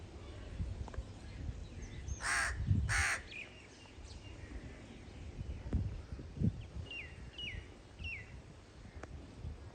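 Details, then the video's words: Crow calling: two loud, harsh, rasping caws in quick succession near the start, then quieter stretches with a few faint, short, descending chirps from another bird over steady low rumbling background noise. "The sound of a crow"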